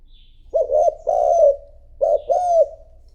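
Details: Two repeated hollow coo phrases from a spotted dove used as a decoy to call in wild doves. Each is a clipped note followed by a drawn-out, slightly downslurred coo.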